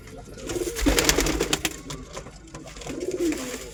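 A pigeon gives low, throaty cooing phrases that rise and fall, two bouts a few seconds apart, over clattering and rustling noises.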